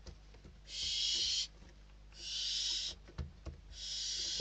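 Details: Inside a Spanish barn owl nest, chicks compete for a delivered bird; three drawn-out, wheezing hiss-screeches, each close to a second long, heard fairly softly, with light knocks and scuffles in the gaps.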